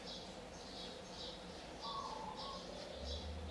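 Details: Thin, high begging notes from olive-backed sunbird chicks being fed at the nest on day 14 of a fourth brood, 4 March 2020, repeat about twice a second over a low background hum.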